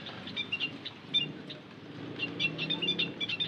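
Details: Lure call of white-headed munia: scattered thin high peeps at first, then a quicker run of squeaky chirps toward the end, with soft background noise.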